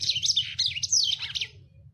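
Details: A short, rough phrase from a lemon-breasted canary, whose song is very coarse and full speed. Quick sharp twitters and a descending whistled slur last about a second and a half, then fade, over a steady low hum.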